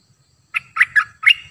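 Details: Cream-vented bulbul used as a decoy bird, singing four rounded, liquid warbled notes in quick succession, each slightly rising, in a quiet setting.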